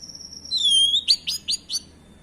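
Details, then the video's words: Male orange-headed thrush used as a lure to start other birds singing: a long drawn whistle falling then flattening, followed by four short sharp rising notes evenly spaced. "ANIS MACET langsung bunyi Anis merah jantan"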